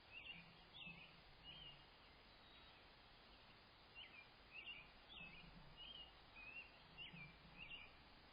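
A Red-bellied Woodpecker gives short, bright chiv notes in quick groups of three or four, pausing a second or two between groups, over steady background hiss.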